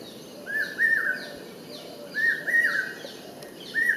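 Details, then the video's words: Common hawk-cuckoo, known as the brain fever bird, calling in the Indian subcontinent: shrill whistled notes that rise and fall, delivered in quick groups of three, repeated roughly every one and a half seconds, over faint high bird twitters. "Call of Common hawk cuckoo|Common Hawk-Cuckoo calling-Cuckoo calling"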